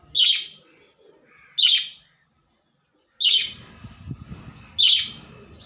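A budgerigar gives loud, sharp chirps, one roughly every second and a half.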